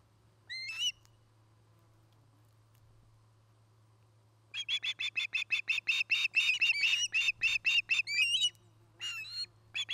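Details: Osprey at its nest near Charlo, Montana, on a nest camera, 09-08-2018: one thin whistled chirp, a pause, then a fast run of about seventeen sharp, high whistled chirps, with a steady low electrical hum beneath.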